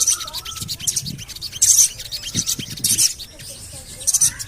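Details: Javan cochoa calling, used as a lure audio to get other cochoas singing; sharp, very high 'cuit' chirps come in short clustered bursts spaced irregularly, over a busy clicking background with faint lower whistles.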